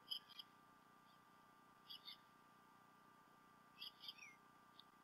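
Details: Pair of adult bald eagles visiting their Decorah North nest on 28 February 2016, midday, after the male brought a fish; quiet clusters of sharp high twittering chirps roughly every two seconds, with a low hum underneath.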